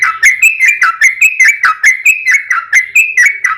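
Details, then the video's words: Yellow-vented bulbul singing in lively form as a lure for other bulbuls: bubbly, liquid phrases of quick rising and falling notes, repeated about twice a second with a steady bouncing rhythm. "trucukan gacor ROPEL PANJANG buat pancingan trucukan agar bunyi"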